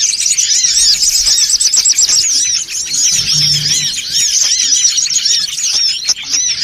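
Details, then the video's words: Songon otong birds in a noisy gathering, used as a lure sound: a dense, unbroken chorus of high, overlapping chirps and quick rising-falling twitters from many birds at once, with a faint low hum underneath. "SUARA PIKAT SONGON OTONG (RIBUT)"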